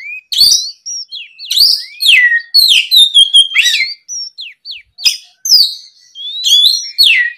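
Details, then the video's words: Oriental magpie-robin singing vigorously in the afternoon to coax young birds into replying. Varied song of upslurred and downslurred whistles, bright chips and short trilled runs, repeated in phrases about a second apart. "SUARA PIKAT BURUNG KACER GACOR NGEPLONG SORE, MEMANCING KACER BAHAN AGAR LEKAS BUNYI NYAUT & GACOR!"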